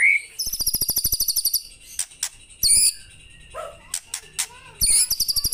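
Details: White-rumped shama giving fast high trills alongside a steady ticking pulse, then sharp calls, a lower throaty phrase, and another rapid trill.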